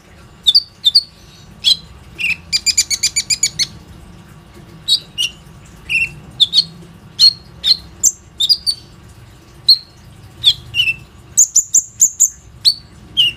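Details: Plain-throated sunbird, song used to lure other sunbirds, recorded on a phone: a long string of high chips and short whistles, with a rapid stuttering trill early on and varied notes throughout.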